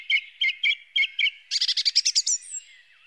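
A song thrush sings a short note repeated five times, then a fast, ringing run of higher notes ending in a thin falling whistle.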